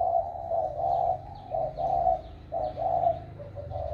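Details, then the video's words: Spotted dove with a newly developed warm voice, recorded 16 February 2020: deep, mellow cooing phrases in a low pitch, about one per second, with soft throaty notes between them. A quiet low hum sits underneath. "Cu gáy mới nổi giọng ẤM"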